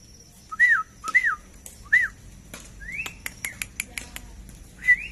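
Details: Captive black-crested bulbul giving three clear, curling whistled notes in quick succession, then a series of sharp ticking clicks and a rising slurred whistle, ending with one more bright whistle.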